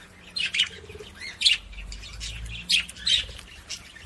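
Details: Budgerigar sounds meant to stimulate other budgies: sharp, scratchy chirps in short bursts, with separated calls near the start, middle and end and quiet gaps between them.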